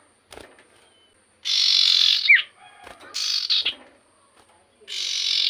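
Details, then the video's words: Common iora giving loud, scratchy, buzzy phrases separated by short pauses, with one brief descending whistled note and faint softer chips in the gaps. "BURUNG CIPOH GACOR SEKALI"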